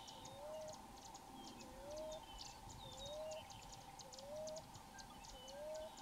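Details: Common Ground Dove, smallest US dove, singing wild from a tree in Florida: five soft upslurred coos evenly spaced about every 1.2 seconds, over rhythmic high ticking insects and a low steady hum.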